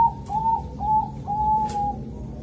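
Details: Bangkok-type zebra dove in Kediri, East Java, giving calm, gentle morning song used to draw other zebra doves into singing; three mellow, slightly arched coos follow each other closely, with faint clicks and a low hum behind.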